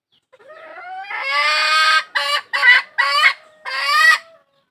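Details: A hen's call seeking a rooster starts as a thin rising note, swells into a long, strident, harmonic squawk, then breaks into four shorter raspy bursts with brief gaps between them.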